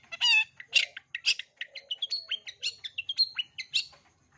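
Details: Long-tailed shrike singing a full repertoire intended for young shrikes to learn from: a rapid jumble of varied chirps, harsh harmonic notes and short whistles, roughly two per second, with no other sounds.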